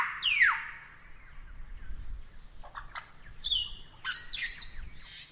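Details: Lyrebird singing for a masteran recording: a sweeping whistle falls steeply, followed by harsh rasping bursts and short high whistled phrases over a low rumbling background.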